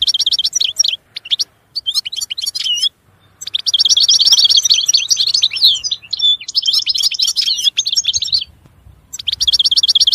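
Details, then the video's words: European goldfinch singing a fast, tinkling run of twittering notes and liquid trills, broken by short pauses; bright, high-pitched phrases repeat rapidly throughout. "Chant Chardonneret تغريد طائر الحسون"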